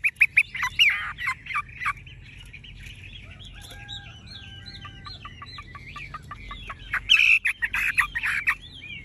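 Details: Tame Chinese hwamei, caged and golden-plumaged, giving harsh scratchy bursts, then a softer stretch of thin repeated whistles, and a loud chattering outburst near the end.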